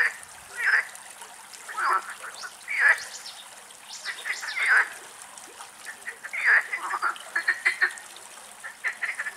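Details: Mallards, a mother with this year's young still together, give short, nasal quacking calls in bursts every second or two, some in quick chattering series, over a faint hiss. Recorded in Greece from a distance in the last sunlight.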